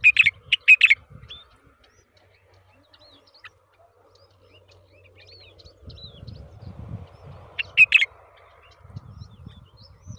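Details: A Yellow-vented Bulbul (Pycnonotus goiavier) feeding a huge worm to its young gives short, bright chirpy notes in a quick burst of four, then another burst, over low rumbling background noise.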